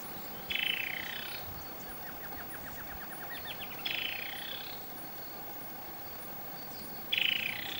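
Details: Black-cowled Saltator at Palambla in Piura, Peru, giving three short, rasping, buzzy calls spaced several seconds apart, with a quiet run of descending tick notes in the pauses.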